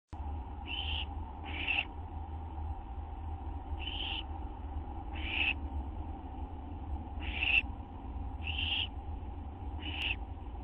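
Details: Owls at a nest on the night of September 6, 2011, just after midnight, during a food delivery; short harsh hissing bursts come about every one to one and a half seconds over a steady low hum.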